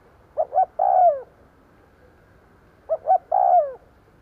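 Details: Two phrases of decoy spotted dove cooing meant to draw in wild birds: quick double hoots leading into a long, soft, falling croon, with a pause of about two seconds between them.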